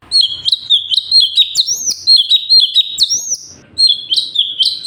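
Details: Sooty-headed bulbul singing vigorously, 'gacor' style, as tutoring material for other birds: an almost unbroken chain of liquid whistled notes with upward-flicking ends, pausing briefly before resuming.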